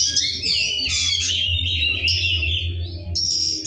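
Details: Rough-voiced Oriental magpie-robin in full song: a continuous run of mixed whistles, warbles and harsh scratchy notes, ending on a held high whistle, over a steady low mechanical hum.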